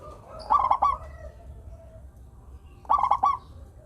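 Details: Local zebra dove song meant to prompt reluctant doves into singing: two loud bursts of rapid stuttering coos near the start and end, with faint cooing between.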